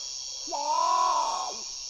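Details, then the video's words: Great potoo: one prolonged moaning call that holds level and then sags at the end, followed by a brief lower note. A constant shrill insect drone runs underneath throughout. "Great Potoo (Nyctibius grandis) Call"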